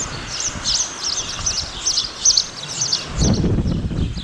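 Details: Spotless starling singing: rapid, high, scratchy chirps and twittering notes run in a dense chattering stream for about three seconds, then fade as low rumbling thuds take over toward the end.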